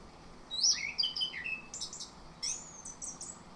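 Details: Morning lure of orange-headed thrush song: an opening string of descending whistled notes, followed by chattering high phrases and thin sustained whistles, with a faint hiss underneath.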